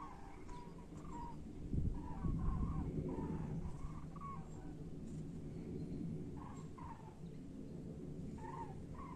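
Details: Common cranes returning north to Europe in spring give loud, rolling trumpeted calls, several birds overlapping in short bursts, over a steady deep rumble of wind.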